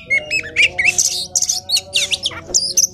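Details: Energetic oriental magpie-robin song, serving as a lure or master for young and non-singing magpie-robins. Short, varied phrases of clear whistles, upslurred and downslurred notes and buzzy trills follow one another quickly. A faint steady hum runs underneath.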